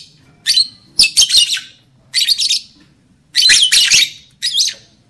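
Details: Lovebird calls used to trigger breeding condition in a male and a female: short clusters of sharp, high-pitched chirps and squawks, about five bursts separated by brief pauses.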